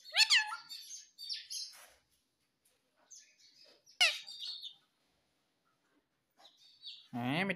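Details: A talking pet parrot that says papa and mummy gives shrill, rising squeaks and chatter. A sharp squawk comes midway, and a low, word-like harmonic call closes the sequence.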